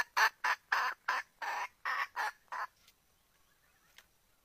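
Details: Hen red junglefowl calling for a rooster to come and mate: eight harsh, rasping squawks in a steady series, about three per second, then fading to faint background noise.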